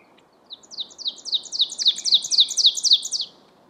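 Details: Ovenbird, a warbler, singing at Mount Auburn Cemetery, Cambridge, Massachusetts, during May spring migration: a ringing series of about a dozen rapid, high two-part phrases, nearly four per second, building louder toward the end over faint background hiss.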